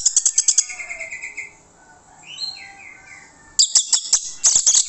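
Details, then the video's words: Orange-headed thrush song played as a lure to draw replies from other birds: bursts of loud, sharp, rapidly repeated high chips open and close it, with soft whistled phrases drifting between them. "PANCINGAN ANIS MERAH MANTAP YANG LAIN LANGSUNG NYAUT"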